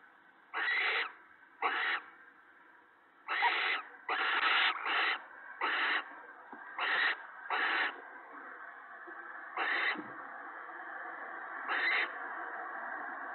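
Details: Nesting owls on a March evening in 2017, the male bringing mice and a rabbit to his mate and young. Short, raspy hissing screeches come in irregular groups over thirteen seconds, with quiet gaps between.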